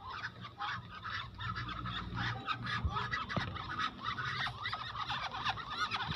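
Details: Muscovy ducks kept on a farm, swimming about together in floodwater, producing a dense chorus of quick, harsh, overlapping calls that run on without pause, with a low rumbling background.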